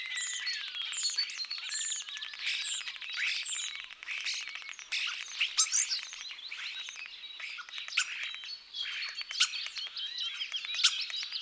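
Common starling song: a dense, restless jumble of thin high whistles, clicks, rattles and wheezy chatter, with slurred descending whistles at the start, running without pause.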